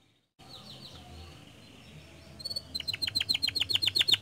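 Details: Canary song intended to make other canaries join in: mostly quiet soft warbling at first, then a crisp run of repeated sharp notes grows steadily louder toward the end.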